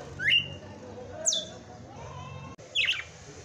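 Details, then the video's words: Red-cowled cardinal performing its 'batendo fogo' song on Christmas Day: three whistled notes with gaps, a rising slur, a high falling note, then a buzzier burst, with a brief click between. "Galo de campina FENRIR cantando e batendo fogo."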